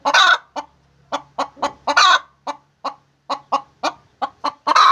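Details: A laying hen cackles steadily: sharp repeated clucks interspersed with loud, raspy, longer squawks at the start, middle and end; slight low hum behind.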